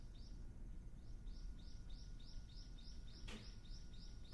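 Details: On Ishigaki Island, Okinawa, a spring-arriving Ryukyu ruddy kingfisher gives a long run of evenly spaced, arched whistles, roughly four per second, steady in pitch, with one sharp click midway and faint low rumble behind.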